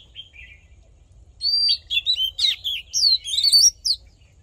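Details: Male-rousing fighting song of an Oriental magpie-robin, sung for voice training: a faint warble, a pause, then a dense run of loud whistled slurs, trills and sharp rising notes over about two and a half seconds.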